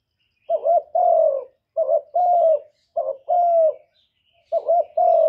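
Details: Luring coo of a decoy spotted dove meant to stir other doves: four double-note phrases, a short note then a longer soft descending coo, in a steady unhurried rhythm.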